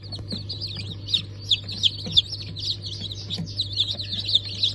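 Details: Newly hatched Brahma, Sussex, Sultan and İspenç chicken chicks, hatched 10.02.2023: high, thin peeps repeated rapidly and continuously, several chicks overlapping, over a steady low machine hum.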